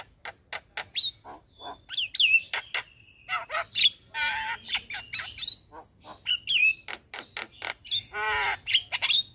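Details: Morning song of a Javan myna used as a master recording for caged birds: busy string of sharp clicks, squawks and clear whistled slurs, with harsh nasal notes between.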